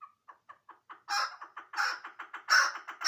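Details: Chukar partridge from Ishkoshim giving a series of clucking chuck notes, beginning with soft, spaced single notes and swelling into louder, harsher, rapidly repeated calls roughly three per second.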